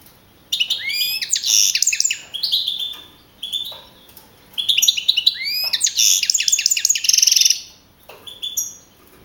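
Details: Young male European goldfinch of field stock, first-place winner at a 2012 singing contest in Navalcarnero, Madrid region, April 2012: rapid high twittering phrases with rising slurred notes and buzzy trills, in bursts separated by short pauses.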